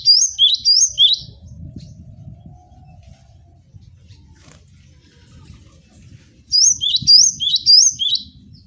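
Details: Repeated high chirping phrases from a caged Javan sparrow open and close the recording, each note a quick rising slur, with a long stretch of low rumbling noise between them.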